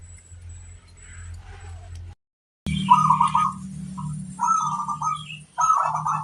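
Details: Local zebra dove heard over a steady low hum; after a brief gap, several pulsing mid-pitched coo phrases follow, separated by short breaks, with faint clicks in the background.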